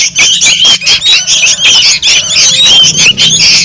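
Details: Lure sound of noisy sooty-headed bulbul chicks: dense, shrill squawking and squeaky chatter from multiple birds, coming in pulsing bursts with thin rising whistles mixed in.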